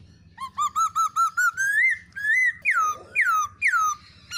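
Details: Female black-throated laughingthrush calling with a male, meant to prompt other birds to sing. Repeated hooked whistles climb steadily in pitch into a long rising note. Loud, sharply descending slurred whistles follow.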